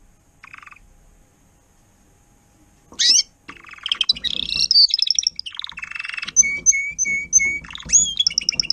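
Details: Timbrado canary lead singer tutoring young birds, 2021: after a brief trill and a quiet stretch, a sharp rising sweep opens rich rolling trills, ending in clear whistled notes repeated in a steady rhythm.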